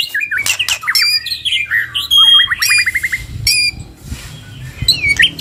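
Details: Two white-rumped shamas belting out full song: bright whistles and squeaky notes, then a rapid even trill of about a dozen repeated chips, and a few clear high whistles.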